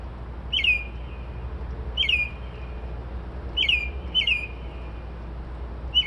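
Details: Bird heard at 2:30-3:00am, said to copy car alarms, sparrows and other familiar sounds; clipped downslurred whistles repeat at uneven intervals, one pair close together, above a constant low drone.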